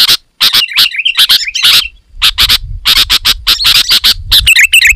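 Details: Sooty-headed bulbul in loud, dense song meant to draw wild bulbuls: fast bursts of sharp chirps with bubbly warbled phrases, nearly continuous, faint rumble in the background.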